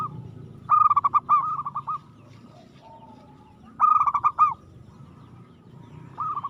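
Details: Aggressive, frequently singing local zebra dove: two loud phrases of fast, hiccuping coos about three seconds apart, each trailing into softer repeated notes, over a faint low rumble.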